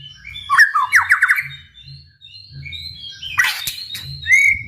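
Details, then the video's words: Shama song, fainter and broken: a quick burst of buzzy chattering notes, a pause with soft tones, then a harsh noisy note and a thin rising whistle over a steady low hum. "MURAIBATU gacor dor full TEMBAKAN ampuh untuk memancing EMOSI murai cepat bunyi | shama bird"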